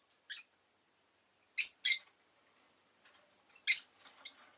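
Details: Rosy-faced lovebird with a soft note, then a loud paired chirp, a pause and another shrill chirp followed by faint twittering.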